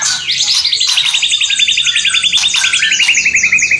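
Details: White-rumped shama song in kretekan and whistling style: a long rapid trill of repeated buzzy notes gradually descending, with high downslurred notes overlaid, steady and rhythmic.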